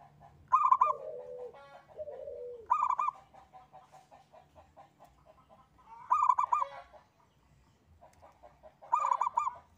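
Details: Zebra dove of a local strain singing engkel-style song as a lure to trigger singing: four loud, rolling coo phrases about three seconds apart, with lower, sliding coos from another dove early on and quieter chatter behind.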